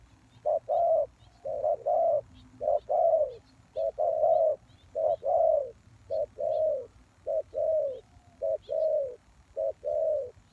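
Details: Spotted dove call used as a lure for wild doves: about ten two-part coos over ten seconds, each a short low note followed by a longer, mellow one. Faint thin chirps sound above.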